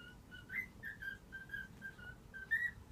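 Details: Indoor cockatiel waking its owners with the melody of 'If You're Happy and You Know It': soft, smooth whistled notes stepping gently down and back up, ending on a brighter, louder upslurred note.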